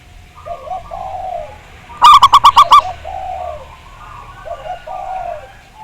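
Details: Local zebra doves, used as a lure to make others sing: soft, wavering mid-pitched coos before and after a sudden loud burst of five quick, clipped notes repeated evenly.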